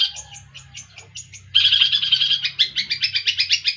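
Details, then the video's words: Long-tailed shrike song: a run of short high chirps, then from mid-clip a louder dense buzzy chatter with rapid repeated notes that pulse faster toward the end. "Cendet pastol..jahat"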